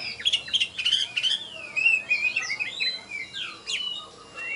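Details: Contest-winning oriental magpie-robin performing in Tebas after being hung up: a burst of harsh chattering notes gives way to flowing, warbled whistles that rise and dip, the phrases running on without pause.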